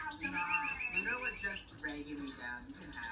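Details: Hand-tame European goldfinch giving rapid, liquid twittering notes, with high chirps stacked over lower warbling phrases, while a human voice murmurs in the background.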